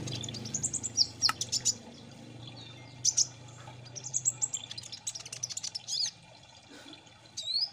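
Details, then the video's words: Kolibri Ninja sunbird lure song, a bird-keeper's recording for prompting birds to sing: high thin twittering chirps and sweeping whistled notes in scattered bursts over a steady low hum. "Pancing Bunyi Burung KOLIBRI NINJA Ombyokan Agar Cepat Gecor"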